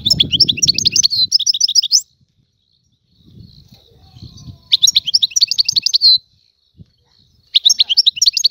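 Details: Algerian goldfinch, a free bird, gives three bursts of rapid tinkling, buzzy twitters, each about one to two seconds long, separated by short silences; soft low rumbling noise between phrases.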